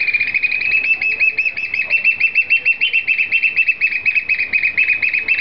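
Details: At the Seattle Aquarium, an adult and a four-month-old juvenile black oystercatcher give a continuous rapid piping: dense, shrill whistled notes tumbling over each other for the whole stretch, fast and uneven in rhythm, with only faint background hum.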